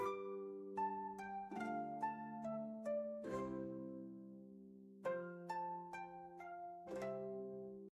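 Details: Plucked string music, harp-like notes in a gentle melody, with no animal sounds.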